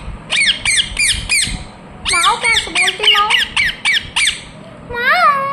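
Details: Pet ringneck parrot giving harsh, bright squawks in quick bursts, several sharp notes in a row, a pause, then a longer run of about eight calls and a final wavering, rising-falling note.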